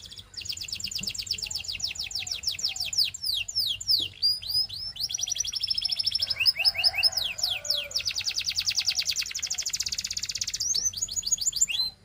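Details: Belgian canary, a male, in continuous song of fast repeated descending whistles running into dense rolling trills, with sharp sweeping notes between sections and a final quick rising flourish.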